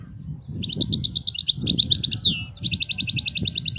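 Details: European goldfinch singing a faultless khalawi-style (wild-type) song: fast, high, tinkling trills and buzzy twittering notes, a sweeping downslurred note near the middle, then an evenly pulsed trill, over a low rumbling background.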